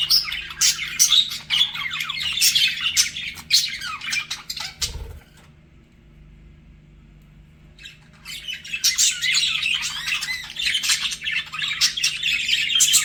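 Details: Flirting budgies chattering in dense scratchy chirps and squeaks, then a brief thump and about three seconds of near silence before the busy twittering chatter resumes, louder toward the end.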